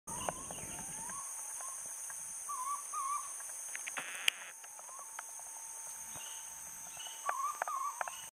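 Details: Purple-throated Fruitcrow on the El Valle to Utría National Park trail in the Pacific Chocó of Colombia, May 2011, giving mellow, hooting whistles with rising, looping inflections in short bursts, over a steady high insect drone and a few other bird notes.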